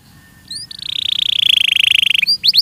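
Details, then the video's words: Training song of a Belgian canary: a couple of short high whistles lead into a long, even buzzing trill that swells steadily in loudness, ending with quick upward-swept notes. "ESPETACULAR canário belga,,! 30 MINUTOS DE TREINAMENTO DE BELGIUM CANARY VOCÊ VAI CANTAR MUITO"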